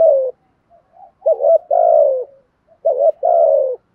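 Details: Spotted dove kept as a decoy to train young captive birds to coo, its voice described as good and well-structured; a falling coo ends, then two full phrases of a quick wavering note followed by a drawn-out descending coo.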